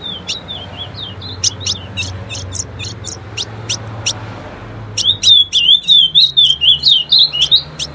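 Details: Female ultramarine grosbeak singing, a song used to get males singing: a series of sharp, high chip notes about four per second, then a fast, warbled, whistled phrase wavering around a high pitch, over a low background hum.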